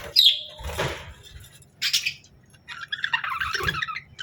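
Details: Friendly pet budgerigar in a happy, playful mood: a sharp high chirp, then a brief buzzy note, a short squeaky burst, and a final stretch of busy rippling twitter.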